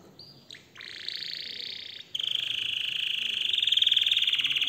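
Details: Canary in excited song: a few short rising whistles, then long sustained buzzy trills that swell and pulse steadily toward the end.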